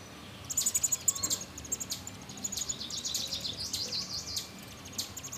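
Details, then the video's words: American robin chicks being fed in a nest built in a satellite dish beside a screened porch: thin, very high, rapid begging chirps in quick bursts, over steady background noise. "Baby Robins eating"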